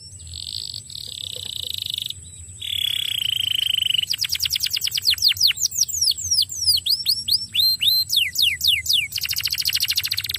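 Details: Canary song used to lure a quiet canary into singing: a couple of long buzzy held notes give way to a fast rolling trill of steeply falling whistled sweeps, with a steady thin high tone throughout.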